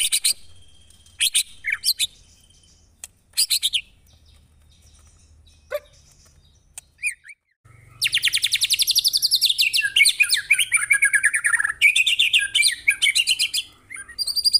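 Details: White-rumped shama in a murai batu masteran, a training recording taken from a real bird, with harsh 'tembakan' bursts: scattered sharp high chirps at first, then from about eight seconds a dense run of rapid, repeated, high buzzy notes.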